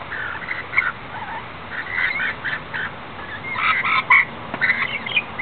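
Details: Wild rainbow lorikeets on the Gold Coast, Australia, calling in the rain: harsh, scratchy screeches and chattering from several birds in quick overlapping bursts, over a steady hiss of rainfall.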